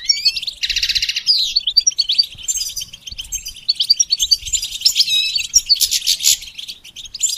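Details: Goldfinch song for song training, mixing liquid twitters with two harsh buzzy bursts, one near the start and another near the end, among quick chattering phrases.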